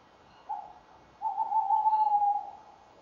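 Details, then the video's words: Male and female tawny owls calling together at their nest box on 30 January 2014, around 19:31; a brief low note, then a longer, steady hoot that swells and fades, fairly soft. "Bosuil M en V roepen samen bij de kast"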